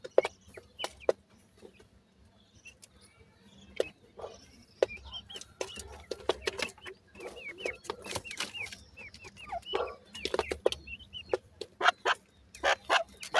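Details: A group of teetar chicks feeding. Dense high peeps grow busier toward the end, over a constant rattle of sharp clicks and taps.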